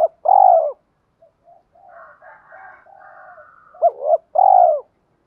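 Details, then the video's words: Spotted dove coo used to make newly caught doves call and sharpen decoy birds: a loud arched coo, a run of soft murmuring notes, then a quick hooked double note and another strong arched coo. "Tiếng chim cu gáy kích bổi mới nhanh nổi, giúp bổi rất xiêng gáy và luyện chim mồi căng lửa"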